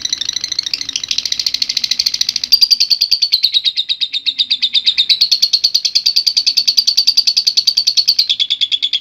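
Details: Lovebird in lively, long ngekek song, a style used as a training model: dense rapid trill of high chattering notes, about three per second, holding steady in pitch for the whole stretch, with faint low background hum.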